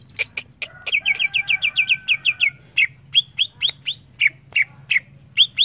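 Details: Greater green leafbird (cucak ijo) repeating bright down-slurred whistled notes about twice a second, preceded by a faster run over a faint steady tone and a few sharp clicks.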